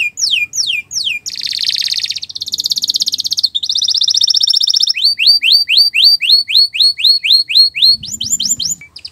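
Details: Canary singing a long, continuous master song for training other birds: falling whistled notes, dense buzzy rolls, then quick repeated down-slurred whistles and a brief low rustle near the end.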